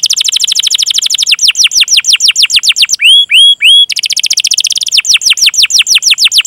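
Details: Long rolling canary song meant to prompt other canaries to sing. Brisk series of falling chirps give way to three clear upswept whistles, then more rapid rolled chirps.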